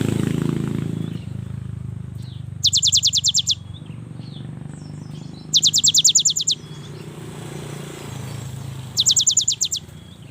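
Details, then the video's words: Cinereous tit, a young bird singing steadily to draw other tits into song: three evenly spaced bursts of rapid high trilled notes over a low rumbling background. "inilah SUARA yang PALING DI SUKAI BURUNG GELATIK"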